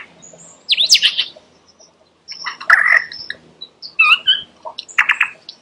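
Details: Lyrebird giving scattered bright whistles and twittering chirps in short bursts separated by brief pauses, some notes wavering and sliding in pitch.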